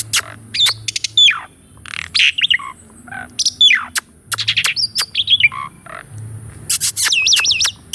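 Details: Asian pied starling song with rolling and varied phrases, meant to trigger singing in a caged starling; downslurred whistles, sharp clicks, buzzy notes and a wavering looping whistle near the end.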